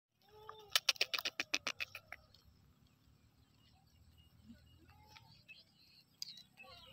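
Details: Sindhi black francolin (kala teetar) giving a rapid burst of about eight harsh, clicking, evenly spaced notes lasting little more than a second, followed by a quiet stretch with a low background hum and a few faint distant bird notes.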